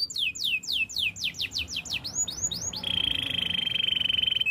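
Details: Belgian canary training song: a rapid series of falling whistled notes and arched chirps, leading into a long, even, buzzing trill held at one pitch.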